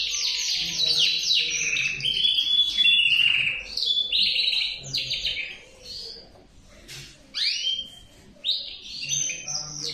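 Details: Male canary singing a long, varied song of fast rolling trills, buzzy tours and high descending sweeps, with a short lull around the seventh second before bright upward-curving notes resume; faint low hum beneath.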